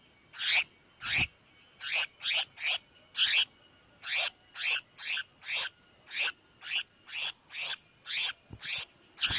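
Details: Distress calls of a tiểu mi đất bird, used to lure birds into traps: a fast series of short, scratchy, broadband notes, roughly two per second with uneven spacing, over a thin continuous tone in the background.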